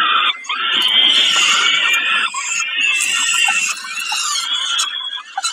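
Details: Peregrine falcon at Kawęczyn during a snack, 20 05 22: drawn-out, rasping wailing that runs almost without a break, fading slightly toward the end.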